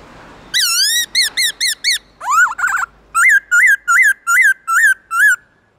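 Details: Black-throated laughingthrush singing its wild-type song with loud, clear whistled phrases: a few wavering notes, a rising slurred run, then a rapid series of short repeated upslurred whistles.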